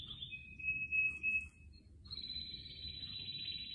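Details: Canary near houseplants gives a pure steady whistled roll, pauses briefly, then launches into a long fast trill at a higher pitch, with low hum underneath.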